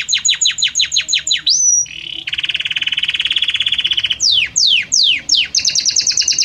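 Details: Belgian canary in harmonious, evolving song: a series of sharp descending chips, a clear whistle, a long low rolling buzz, then steeply falling sweeps and a quick bright trill.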